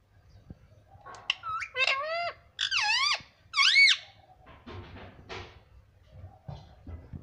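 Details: Talking pet parrot, said to say words like mummy and papa. It makes three loud, sweeping, wavering squawky syllables in a row, then quieter mumbling sounds and room noise.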